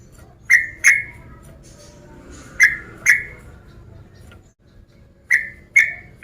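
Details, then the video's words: Male sooty-headed bulbul calling out a rival, notes a little softer: three pairs of bright chirps, each pair about a second or more apart, over a quiet hiss. "Test Mental TRUCUKAN Malas Dengan SUARA Trucuk Fighter ini"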